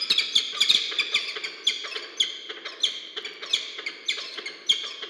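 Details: Brief nest meeting of a peregrine falcon pair at Orange, New South Wales, Australia, 2 January 2023, from a research nest camera: a steady stream of scratchy, chattering call notes, louder accents roughly every half second to second.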